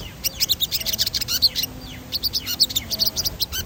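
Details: High-spirited sogon in rolling song used to stimulate singing: fast, continuous high-pitched twittering chirps with a brief pause in the middle.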